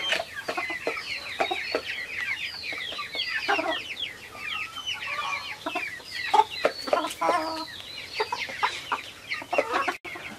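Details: Silkie chickens on a farm: a busy flock clucking and chattering continuously, with many overlapping short squawks and rising calls and a few sharper clucks.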